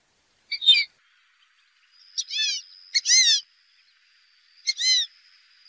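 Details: Wild duck giving spaced, downward-sweeping squealed notes in short groups, with a thin steady high tone in between and a quiet background.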